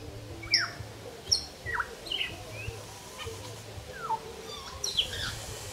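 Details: Evening chorus of wild African grey parrots in Uganda at about 5:30, made every night; a series of sharp whistles and downward-sweeping squawks, roughly one each second, over steady low background hum.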